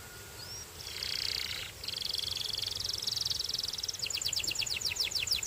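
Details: Belgian singing canary giving a quiet, buzzy sustained trill that breaks off and resumes, then a clearer run of fast repeated high sweeping notes near the end.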